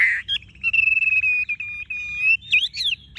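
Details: Tame caged Chinese hwamei with yellow-gold plumage: a loud opening note, then a long steady whistle held for nearly two seconds with a fluttering quality, followed by quick looping whistled flourishes.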